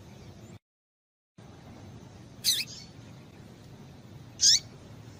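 A female Double-collared seedeater gives two short, sharp, high chips about two seconds apart over a quiet background.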